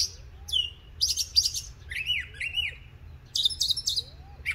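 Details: An April-morning Northern mockingbird in Illinois pours out changing phrases: buzzy chattering bursts and repeated arched whistles, with faint soft rising notes lower down and a steady hum.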